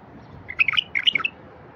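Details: Bulbul song for prompting silent wild bulbuls: one short, rapid phrase of chirpy, warbled notes jumping up and down in pitch, lasting under a second, over faint hiss.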